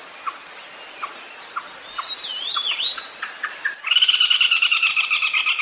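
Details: Red-legged crake calling at night: soft regular ticks and a couple of swooping whistles, then a sudden loud, rough, rapidly repeated rattling series, over a continuous shrill insect background.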